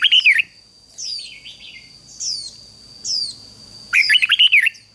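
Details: Red-whiskered bulbul kept as a decoy to call wild birds, opening and closing with short warbled phrases of fast up-and-down notes, separated by three sharp descending high chirps about a second apart, over a steady high tone.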